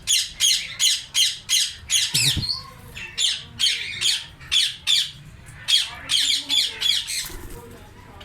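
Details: A summer colony of Indian ringneck parrots screeching loudly, with a rapid run of harsh raspy calls, a short pause with a thump, then more shrill squawks in fast succession.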